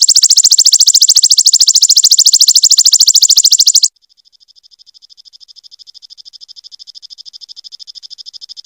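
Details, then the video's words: Prinia (perenjak or kecingkur) combination song recording used to train songbirds: a loud, very rapid high trill lasting about four seconds, then an abrupt switch to a softer, thinner pulsed trill that slowly grows louder. "Tembakan Burung perenjak|suara kombinasi"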